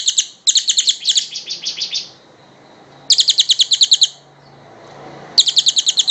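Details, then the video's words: Kingfisher, local name tengek cililin, in a long tutor recording for songbirds: stuttering bouts of sharp, high, quickly repeated notes that slow and soften slightly, then resume in two further loud bursts. "Suara Burung tengek cililin panjang"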